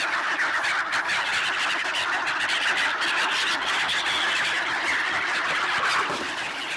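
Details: Black-headed gulls massing for bread handouts at a swan site in Ibaraki, Japan, late December 2017, filmed on a Nikon D7200. Many birds give a steady wall of raucous, overlapping cries, with no clear gaps between calls.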